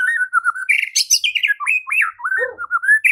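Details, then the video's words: A continuous, fluid White-rumped shama song used as a lure for fighting and singing, with swooping whistles rising and falling, squeaky high notes and a few low burbling sounds without pause. "Murai batu LANGSUNG TARUNG dan IKUT GACOR dengan pancingan seperti ini"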